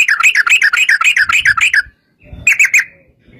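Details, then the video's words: Yellow-vented bulbul giving its long rapid trill, a fighting-style song used to lure others into singing: about two seconds of fast, bubbly, rolling chirps, a pause, then a short burst. "trucukan gacor TARUNG ROPEL PANJANG pancingan trucukan agar bunyi jadikan burung trucuk gacor NYAUT"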